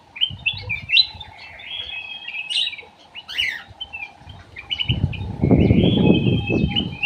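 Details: Ruby-throated bulbul (cucak emas) kept in an aviary, song used as a lure: clear whistled phrases with quick rising and falling notes and short buzzy slurs. A steady low hum runs throughout, and rumbling noise swells in the second half.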